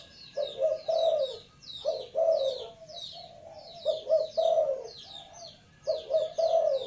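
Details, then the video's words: Spotted dove calling with hoarse, mellow coo phrases repeated about every second and a half, some notes run together into longer rolls, with busy high-pitched twittering from other birds throughout. "suara tekukur"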